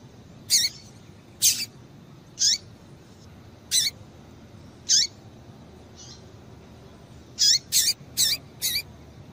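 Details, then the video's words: Calls of a female double-collared seedeater, used to excite males: short high, sharp chirps with a lower rising tail, spaced irregularly, then a quicker run of four near the end, over steady low hiss. "Piado de Fêmea de Papa capim é Piado de Fêmea de Papa capim Para Esquentar Papacapim"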